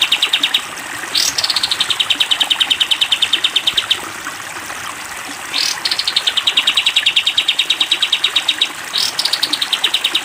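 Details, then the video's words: Three long 'tembak' bursts from a sooty-headed bulbul on a cage-bird training recording, each starting with an upward swoop and pouring into a rapid series of high notes that sag gently in pitch. "masteran kapas tembak panjang"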